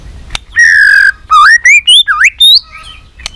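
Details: White-rumped shama singing a competition fighting song, a caged bird roused to fight: a held whistled note, then a quick series of clear upward-sweeping and dipping whistles climbing in pitch.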